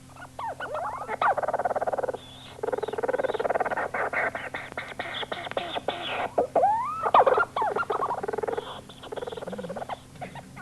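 Leach's storm petrel giving its rapid, chattering, purring call, a stuttering run of churring notes with rising squeaky inflections, repeated in bursts with brief pauses.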